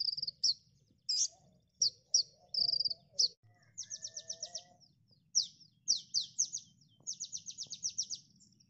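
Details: Common Iora training song: high, clipped whistles and chips, then long, rapid, buzzy trilled bursts of high notes, with soft lower warbling in the background.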